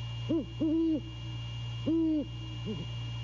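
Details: Deep hoots from a male great horned owl visiting at night, January 6, 2022, 1:24 AM, on a Savannah nest cam: one short hoot, two long level hoots, then a soft double note, over steady hum.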